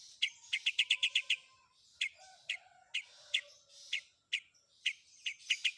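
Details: Long-tailed shrike song mixed with fill-in phrases, meant to make other shrikes answer: a fast run of six sharp, high chips, then spaced single chips with faint lower whistles behind.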